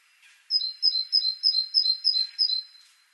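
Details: Great tit (Parus major) singing a clear, repeated two-note phrase, a high note dropping to a lower one, about eight times in quick even rhythm over two and a half seconds, with faint background noise.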